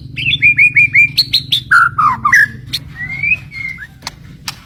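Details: White-rumped shama, a fighter bird, singing a series of clear whistled notes repeated about three per second, jumping between pitches, then a rising slurred whistle and a few sharp clicks.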